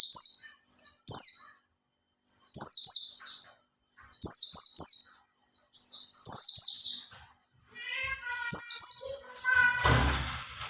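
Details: Lure song of a caged Oriental white-eye, held three months and starting to fan its tail: choppy high twittered phrases in quick succession, ending in a harsh broad rustling burst of noise.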